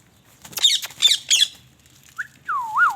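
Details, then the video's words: Indian ringneck parakeet, called a talking parrot: three harsh, scratchy squawks in quick succession, then after a short pause a rising whistled note and a wavering, warbling whistle that loops up and down. "King |ringneck |talking |sweet |parrot"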